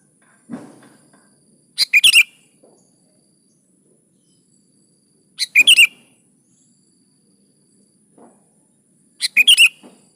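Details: Vigorous sooty-headed bulbul used to spur other bulbuls to sing: short bubbly phrases of three or four loud whistled notes, repeated about every three to four seconds, with light low thuds between.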